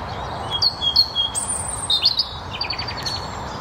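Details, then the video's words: European robin singing in spring at Blashford Lakes, Hampshire, UK: a thin, high phrase of quick trills and sharp squeaky notes, varied and rather soft, over faint background hiss. "Song Of Spring: Robin Red Breast's Melodic Tune"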